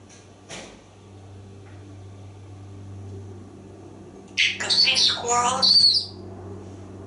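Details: A talking parrot chatters on a back porch during a monologue about watching squirrels and birdies. After a faint low hum, there is a bright, high squawking, voice-like phrase of about two seconds, made of several rapid harsh syllables.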